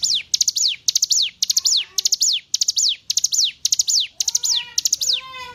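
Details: Hill prinia song used to train captive songbirds: a long run of high phrases about twice a second, each three sharp notes and a downward whistle. Lower, steady tonal whistles sound beneath it in places.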